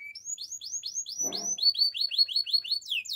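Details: Gloster canary in song, producing quick arched whistles in a steady series, a brief rattling burst, then a rapid run of short repeated notes.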